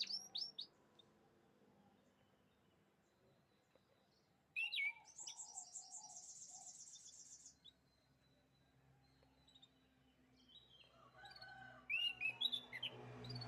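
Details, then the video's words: Short bursts of canary song separated by quiet pauses: a brief chirp, then a two-second pulsing high trill, later a few sharp rising chirps, over soft background hum. "the beautiful chirping sounds of canaries"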